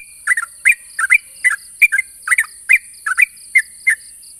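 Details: Sooty-headed bulbul challenging a rival, giving short bubbly two-part chirps repeated about three times a second in an even run, with a constant high hiss and faint pulsing high tone behind.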